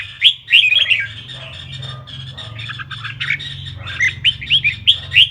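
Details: Red-whiskered bulbul singing, meant to stir other bulbuls to sing: quick chirpy, whistled phrases, loud at the start and in a run of clear bursts near the end, with a softer chattering passage between and a low steady hum beneath.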